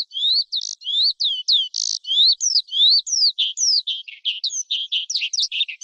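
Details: Forest skylark singing, played by keepers to excite wild birds or train young birds: rising slurred whistles with rasping bursts in a steady rhythm, then a jumble of lower buzzy and chattering notes.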